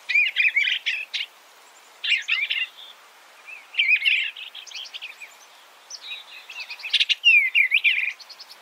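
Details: Eastern bluebird song: mellow, slurred warbling phrases repeated at irregular intervals, some notes curling up and down. Light background hiss and faint chips come from other birds.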